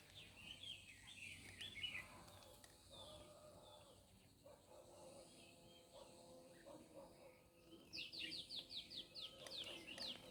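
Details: Forest birds at Hac Sa, Macau, calling with high, thin chirps. Near the end comes a quick run of evenly repeated sharp notes against a quiet background.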